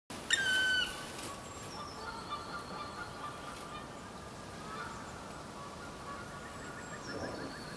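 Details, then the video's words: A black woodpecker gives a single loud, drawn-out, plaintive note near the start, then quieter woodland with faint high bird calls behind. "Black Woodpecker"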